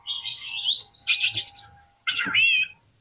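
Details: Short burst of Oriental magpie-robin song, used to stir up other magpie-robins: a sustained whistled note rising at the end, a buzzy chattering burst, then a loud slurred whistle over a soft low hum.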